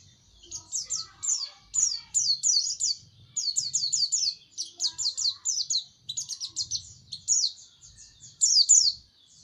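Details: Seasoned white-eye in sustained song: dense, high, rapid chirps sliding downward, grouped in rhythmic clusters that follow one another almost without a break, over a faint low background rumble.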